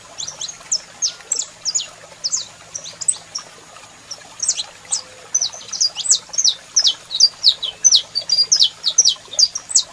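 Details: Male saffron finch in song with a female calling: sharp high notes at first scattered, then building into a fast, loud regular series near the end, faint steady high whine behind.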